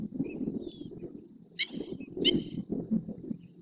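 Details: Several flamingos perform a group display dance in the marsh at El Rocío, Doñana National Park, Huelva, Spain. They stretch their necks, turn their heads quickly, open and close their wings and splash. A dense, low gabbling chorus of grunts continues throughout, broken by brief sharp higher chirps.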